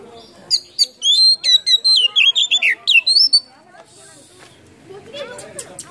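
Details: Kacer (Oriental magpie-robin) with tail open, singing its stuffed, mimicking song to trigger quiet birds: a quick string of clear whistles and downslurs for about three seconds, then softer hissing and faint chatter.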